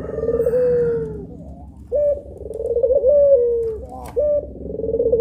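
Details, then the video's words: Two puter pelung doves on a training recording, cooing steadily: clipped introductory notes leading into long tremulous, downward-curving coos, one after another with little pause, against a low humming background. "PUTER PELUNG MASTERING || SUARANYA BIKIN MERINDING"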